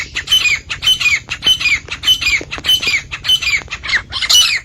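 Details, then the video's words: Iranian or Dhakni partridge, male or female, offered for calling, catching and hunting partridges: loud, scratchy squawks repeated steadily about twice a second, each with a thin whistled overtone. "Iranian & Dhakni Titar saaf awaaz Male Female Sounds"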